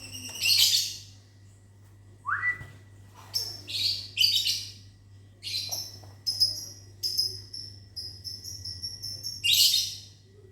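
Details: Lovebirds in a mini aviary in the morning, answering a person's whistling: bursts of shrill, high chirps and squeaky notes in quick runs, after a single rising whistle near the start, with a faint steady hum underneath.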